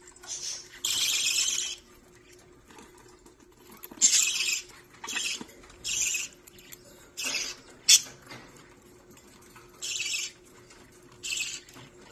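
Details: Young budgie at a parakeet rescue discovering toys at lunchtime, with short separate bursts of high, hissy chirps and chatter every second or two, quiet between bursts, plus faint soft tapping.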